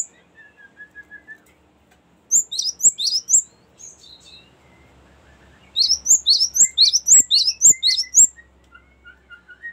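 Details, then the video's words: Cinereous tit rolling 'ngerol' song for luring and training birds: bursts of sharp high repeated notes, with faint soft twittering from another bird in the quieter gaps. "ngerol panjang sangat bagus untuk pancingan gelatik batu dan masteran"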